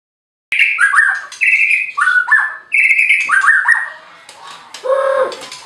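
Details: White-rumped shama at a bird farm in Anyer, Banten, Indonesia, singing a song meant to provoke rivals: loud, bright whistled phrases, each a quick stepped figure, repeated in bursts, closing with a lower, softer note.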